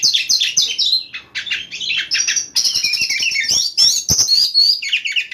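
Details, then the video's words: Oriental magpie-robin at night pouring out rapid 'nyembur' song used to stimulate other magpie-robins: jumbled high whistles, scratchy notes and buzzy trills run together with little pause. "PANCINGAN BURUNG KACER DI MALAM HARI II NYEMBUR NYEMBUR"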